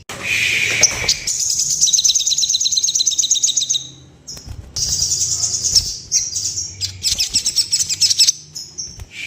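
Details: Sooty-headed bulbul in breeding condition, a sound said to make bulbuls droop their wings in breeding excitement and flutter. A low burst opens into a long, fast, buzzy high trill of about three seconds, then, after a pause, more rapid chattering trills.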